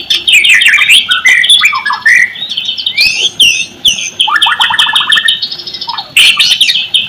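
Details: Lure recording of white-rumped shama song meant to prompt shamas that refuse to sing: a rich, fast medley of high whistles, slurred notes and stuttering phrases, with a rapid descending series of clipped notes near the middle.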